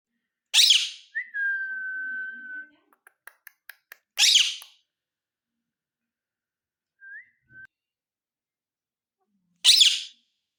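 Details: Ringneck parrot that talks: three loud, rough squawks spaced a few seconds apart, a long level whistle after the first, a row of faint ticks, and a brief soft whistle.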